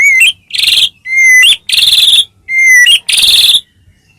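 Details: White-rumped shama song intended to prompt other shamas to sing: a clear whistled note alternating with a loud buzzy, harsh burst, the pair repeated about three times.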